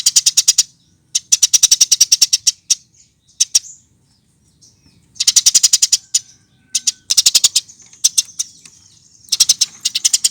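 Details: Eurasian tree sparrow chirping for use as a singing lure: long rapid trains of high, clipped chirps, a quieter stretch with scattered single notes, then dense bursts again.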